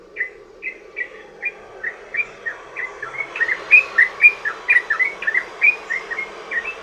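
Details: Yellow-vented bulbul giving a long 'ropel' lure song for other bulbuls: begins with spaced slurred chirps that quicken into a louder, denser chattering run of bright warbled notes.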